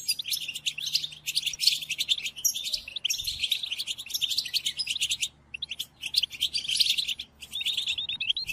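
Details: European goldfinch song played to captive goldfinches for song learning during moult: chattering high twitter in bursts, a quiet gap near five seconds, then more rapid tinkling phrases and a faint hum.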